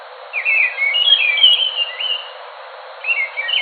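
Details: Enggano thrush delivering a long, continuous warble of fast, twisting whistled notes for nearly two seconds, then a short gap and a brief final flourish.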